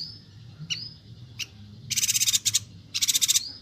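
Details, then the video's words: Bornean yuhina singing vigorously, used for training songbirds in Kalimantan: two dense high rattling bursts of about ten quick pulses each, preceded by faint, thin upslurred whistles and short ticks. "Suara burung Perenjak Batu/Yuhina Kalimantan Gacor"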